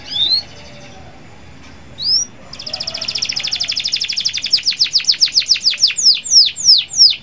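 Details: Local canary in song, played to set other canaries singing. Two rising whistles come first. Then a long series of downward-slurred notes starts fast and slows steadily, each note growing louder and more spaced out.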